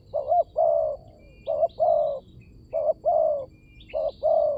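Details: Mellow spotted dove cooing used to lure wild doves. Four phrases, each a short wavy note and then a sustained coo, spaced about a second apart. Light chirping of small birds at a distance.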